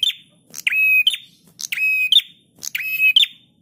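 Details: Prinia singing in a master recording meant to tutor caged birds. Three buzzy, reedy phrases follow closely, each a flat rasping tone bracketed by short sharp notes. The background is faintly murmuring.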